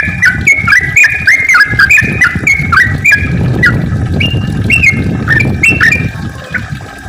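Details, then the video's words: Rapid-fire 'ropel' song of a yellow-vented bulbul, played to make other bulbuls active and singing: a dense stream of bubbly, warbled notes tumbling over one another, with a low rumbling hum underneath. "kicau trucukan gacor ropel panjang ampuh untuk pancingan trucuk biar aktif bunyi ropel dan gacor"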